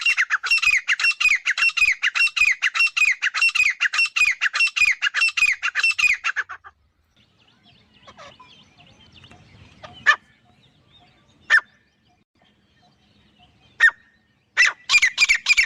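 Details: Male and female grey francolins give loud, harsh, rapidly repeated high calls for several seconds, then fall quiet with a few isolated notes before the chorus starts again.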